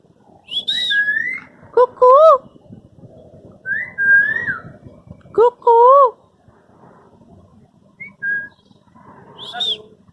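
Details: African grey parrot at Dhauladhar Nature Park, Dharamshala, producing a varied series of loud, pure whistles: high falling notes, mid-pitched glides and paired rising whistles repeated twice, with people talking and coaxing it with hello.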